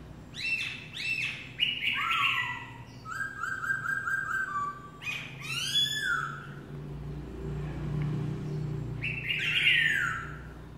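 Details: A black-throated laughingthrush sings loud, varied phrases of rising and falling whistles mixed with rapid chattering notes, over a low background hum.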